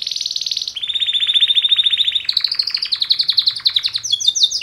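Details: Two male canaries giving a mating call song: a high sustained trill, then a long, steady, buzzing roll of rapid notes that climbs in pitch, finishing with sharp chirped phrases.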